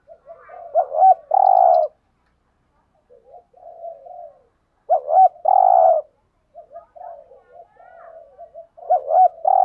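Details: Male and female spotted doves in a decoy-training lure of fast 'thúc gù' cooing: three strong phrases, each a stuttering double note and a long throaty coo, with quieter mumbled notes between them.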